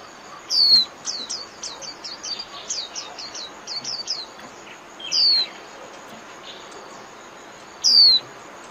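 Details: Japanese white-eye líu song for daily bird training: a soft, quick series of high chirps, then three louder, isolated downslurred whistles spaced a few seconds apart over steady hiss.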